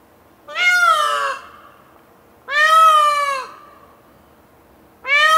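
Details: An Indian peafowl gives loud, nasal, wailing cries, each about a second long, arching then falling slightly and repeated roughly every two and a half seconds.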